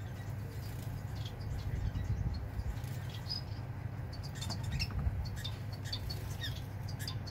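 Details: Society finch singing while feeling the wind, recorded 4 October 2022; faint, squeaky high notes in short clustered bursts over a steady low rumble of wind.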